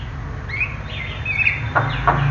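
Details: Javan myna singing: a few thin whistled notes sliding around a mid-high pitch, then two short harsh rasping bursts near the end, over a steady low hum.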